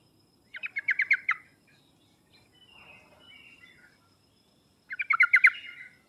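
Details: Sooty-headed bulbul, played as a lure to prompt reluctant birds to sing: two bursts of quick stuttering notes, each under a second long and several seconds apart, with soft warbling in the gap.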